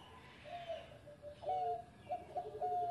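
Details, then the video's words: Former competition champion zebra dove singing in the engkel style, with soft tonal cooing notes that rise into a series of short repeated whistled coos, faint against a quiet hiss. "Mantan Juara Suara Engkel Sari Cengkok Irama Merdu"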